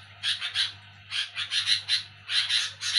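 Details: At night, while people sleep, a sooty-headed bulbul (kutilang) gives noisy, harsh, raspy chatters in quick bursts of two or three notes, repeated about once a second, over a faint low hum.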